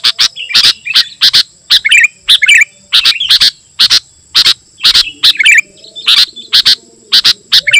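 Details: Sooty-headed bulbul in energetic song, used to lure wild bulbuls and to tutor caged birds: loud, sharp chirpy notes repeated rapidly in bursts, with short bubbly warbled phrases between them. A steady high tone runs throughout.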